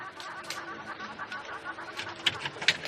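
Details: Hornbills chatter in quick, clucking bursts amid a busy chorus of birds on a sunrise drive in South Africa on 30 September 2016, with a couple of sharper, higher notes near the end.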